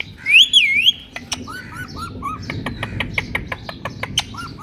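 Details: Ring-necked parakeet reacting to its mirror: a loud wavering whistle that rises and falls, then a quick run of sharp clicks and short chirped notes with small upturned whistles.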